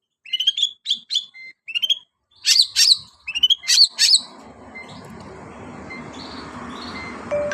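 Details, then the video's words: Long-tailed shrike imitating a canary: a few clear whistled chirps and sharp double notes, then fainter thin high notes over rising background noise. "BURUNG CENDET SUARA KENARI"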